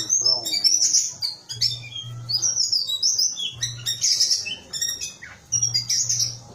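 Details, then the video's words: Small whistling thrush delivering bursts of high, rapid, scratchy whistles and chirps in phrases about a second long, over a recurring low hum. "Suara burung ciung batu kecil"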